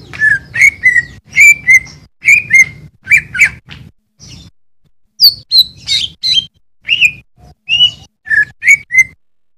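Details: Greater Green Leafbird singing as a master for training cage birds: bursts of clear, slurred whistles repeated roughly once a second, a brief pause midway, then higher, more varied chattering notes.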